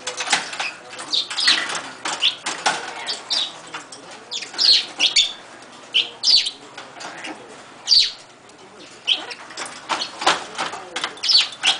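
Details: Captive umbrella cockatoo clamouring noisily for an Amazon parrot's attention while the other bird plays with a toy. Scattered sharp, high chirps and squawks come in irregular clusters, mixed with rustling and wing-like fluttering noises.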